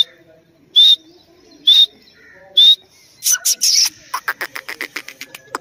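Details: Grey francolin of the Dakni or Irani type: three loud, level whistled notes about a second apart, followed by a fast series of sharp clicking notes.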